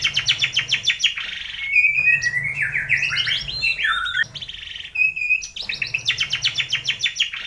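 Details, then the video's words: Morning training recording meant to set off song: a white-rumped shama gives bursts of rapid rattling notes, then a string of varied looping whistles and slurred phrases, then more quick repeated notes. "pANCINGAN masteran pagi agar MURAI BATU gacor!!!"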